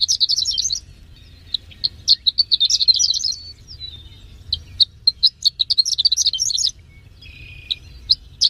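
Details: A Horsfield's bush lark (Mirafra javanica), a third-place contest songbird, pours out a fast, high jumble of chirps, trills and buzzy notes in bursts, with brief thin whistles between phrases and a faint low hum.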